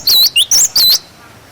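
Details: Cinereous tit singing its 'wucit wucit' tutor song for young birds: four clear, very high whistles, the first and last dipping in a U-shaped swoop, the third short and lower. Faint background hiss follows.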